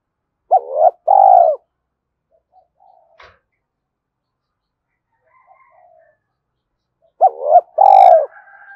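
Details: Decoy cooing of a spotted dove meant to excite wild birds: two phrases spaced widely apart, each a clipped double hoot running into a sustained falling coo, with faint knocks in the pause.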